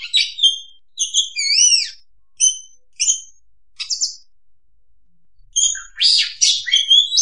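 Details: Kacer (oriental magpie-robin) trapping lure sound: clear whistles and looping slurred notes in spaced phrases, a quiet gap, then dense harsh rasping notes and a falling whistle.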